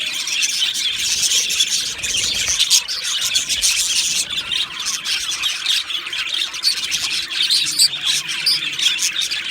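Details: Two male budgies chatter rapidly, a dense mix of shrill chirps and coarse squawks that fades slightly near the end.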